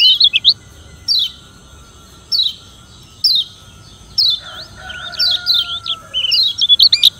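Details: Yellow white-eye of Lombok (kecial kuning) sounding its rival-challenging song: spaced downslurred chirps about a second apart, then a lively stretch of wavy twittering, with a lower drawn-out tone briefly behind.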